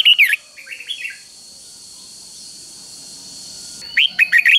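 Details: Red-whiskered bulbul kept in a cage, giving a simple doubled three-syllable song meant for training young birds; a short warbled phrase opens, then a long quiet gap before another burst of quick chirpy notes, a faint high hum behind.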